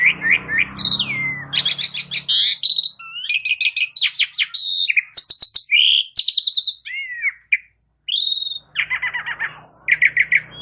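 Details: Extended jalak suren song used as a lure for cage birds: varied chatter, rattles, and slurred whistles, with a brief pause before a final run of harsh notes.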